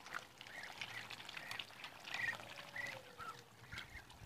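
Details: A group of 52-day-old Muscovy ducks giving short, thin peeping chirps at varied pitches, some slightly rising, scattered through the clip over a steady hiss of pouring, trickling water.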